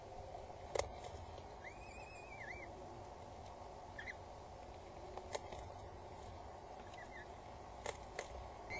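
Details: Peregrine falcon chicks, two of them, begging at a nest on Axel Tower, Netherlands, midday 19 April 2022, while the father is present and the mother brings food; a drawn-out, wavering high whine, then short squeaks among clicks and hum.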